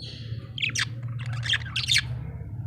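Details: Happy budgerigar chirping: a few short bright chirps and squeaky warbles over a steady low mechanical hum.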